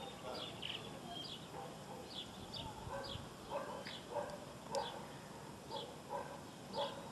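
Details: Southern martin in Córdoba, December 2011, giving repeated short, downslurred chirps at a quick, irregular pace, roughly ten notes with throaty lower tones beneath, against a constant noisy background.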